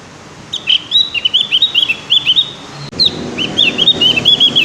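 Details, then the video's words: Young-learning Javan grey-throated white-eye practising its song, a rapid chain of high, bouncy whistled chirps with rising and falling notes, broken by a short pause and then resumed at the same brisk pace. "Suara burung opior jawa Yang sedang belajar bunyi"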